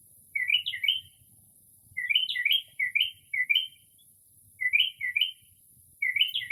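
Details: Mimicking other species on an early-spring night, a Northern mockingbird delivers groups of two to four quick bright chirps separated by pauses of about a second, recorded in rare silence from a porch.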